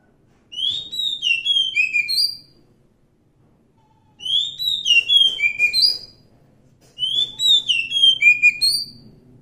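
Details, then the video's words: Wild Oriental magpie-robin repeating three similar bursts of quick, varied whistled notes about every three seconds, each burst lasting around two seconds, with silent gaps between and slight low background noise. "suara asli kacer hutan"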